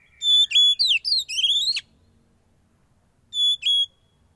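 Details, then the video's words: Oriental magpie-robin, a young bird from the wild, kept under sauna therapy, gives a quick run of bright whistles and upward-sweeping slurs for about one and a half seconds, then falls silent before one more steady whistled note. "Terapi Sauna Kacer Muda Hutan"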